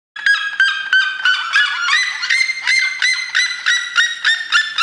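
A red-legged seriema gives a loud, nasal, yelping series of about three notes a second, building and rising slightly in pitch, with nothing else heard.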